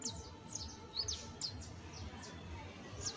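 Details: Young Saffron finch uttering first songs: a few spaced, high descending chips and short sweeps over a noticeable low rumble, quieter and sparser than a full song.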